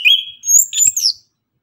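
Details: Orange-headed thrush in vigorous morning tembakan song: a steady whistled note, then very high thin squeaks and a chattering burst, all within about one second.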